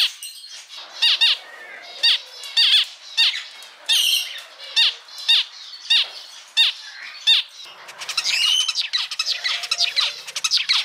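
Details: Male zebra finch song: a rapid run of nasal, buzzy beeps and stacked harsh notes, repeated about twice a second, ending in a busier chattering phrase.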